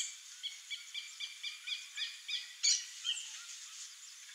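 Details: A male swallow tanager gives a quick sequence of high, thin, evenly spaced notes, then a sharper note and a pause, with steady hiss behind.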